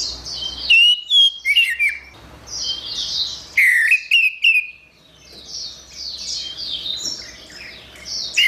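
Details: Orange-headed thrush in energetic gacor song. Bright, clear whistles and rapid chattering notes come in bursts roughly a second or two apart, over steady high-pitched twittering in the background.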